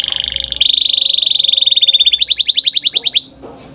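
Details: Long rolling canary song meant to coax young canaries into singing: a steady rapid buzzy trill held for about two seconds, then slowing into distinct rising pulsed notes before fading.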